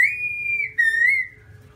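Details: Singing white-cheeked black-throated laughingthrush (Garrulax chinensis) gives one long, pure, even whistle, breaking briefly, then a second wavering whistle fading away; faint steady hum behind.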